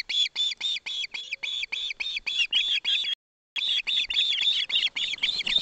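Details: Osprey chick begging during a fish handover from the father, mother present, Barlinek Forest: insistent high chirps in a rapid run, a brief silent gap, then an even faster, overlapping stream of calls.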